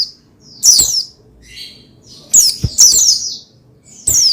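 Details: Oriental white-eye, used to spur another white-eye into singing: high, thin twittering bursts of fast descending sweeps, one near the start, two close together mid-clip and one at the end, with quiet gaps between.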